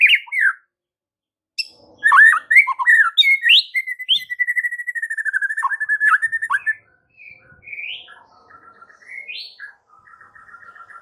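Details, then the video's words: White-rumped shama masteran song: sweeping whistles lead into a long, steady chatter of rapid repeated notes, then softer scattered rising whistles and trills. "7 DETIK AUTO RESPON MURAI BATU ANDA DENGAR MASTERAN MURAI BATU SATU INI"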